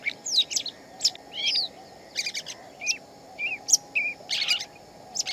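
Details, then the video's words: Wild Shama song of scattered whistled phrases, some sweeping up, others short and pure, separated by brief pauses, with a faint steady hum underneath. "Chim Chích Chòe Lông Xù, Tiếng Chim Hót Ngoài Tự Nhiên"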